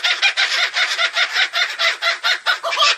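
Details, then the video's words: Kookaburra calling in a song described as scary: harsh, cackling bursts repeat about five times a second in an even, chattering rhythm. "Canto assustador do pássaro Koocaburra"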